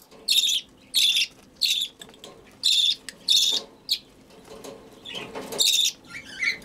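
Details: Budgerigar chick at hand-feeding, making rasping begging bursts, five in quick succession, then softer scratchy rustling and a last squeaky call toward the end.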